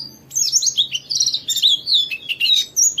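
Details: Ngalas-style white-eye song played to prompt other white-eyes to answer and sing. Quick, high, slurred chirps and twitters run almost without a break, notes bending up and down.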